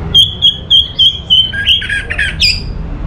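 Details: Anis Merah, the orange-headed thrush, from northern Bali: about six evenly spaced, sharp high whistled notes, then a quick tumble of varied, descending and buzzy phrases, with a low hum underneath.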